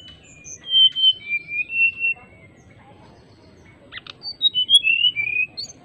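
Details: Greater racket-tailed drongo singing energetically as if calling an opponent, in a flute-like style: clear whistled notes slurring up and down, a quick burst of sharp clicks near the middle, then more descending fluty whistles, with a faint low background rumble.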